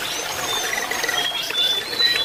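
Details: Jongkangan singing, played as therapy to prompt a silent or young bird to whistle and chatter soon: long, thin, high whistled notes, some level and some gently falling, over a steady bed of softer twittering.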